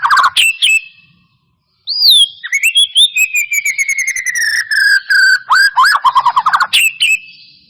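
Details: Singing white-rumped shama used to stir a bird that will not sing: sharp whistles, a pause, then a long sliding whistle drawn downward while rapid chips continue, ending in quick trilled notes.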